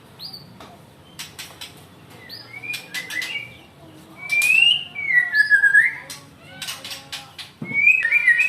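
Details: White-rumped shama described as angry, singing loud clear whistled phrases that slide up and down. Sharp broadband clicks and taps are scattered between them, and the phrases grow louder toward the end.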